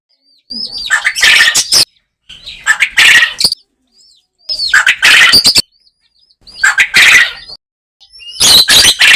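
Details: Farm-raised quail recorded in natural surroundings, giving five rough, buzzy call bursts about two seconds apart, each made of quick harsh pulses, with faint high whistles in between.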